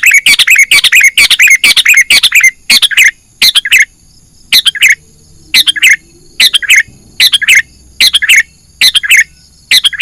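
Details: Sooty-headed bulbul lure call used to attract and trap wild birds: rapid run of harsh, chattering squawky notes, then separate paired chirps repeated at roughly one-second intervals, with a faint steady high hiss behind.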